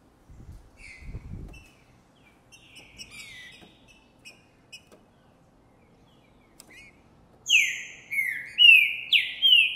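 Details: A male Green-winged Saltator sings strongly after seeing a female, recorded in January 2024. It gives soft scattered chirps and a few low knocks, then four loud, rich, downslurred whistled phrases about half a second apart.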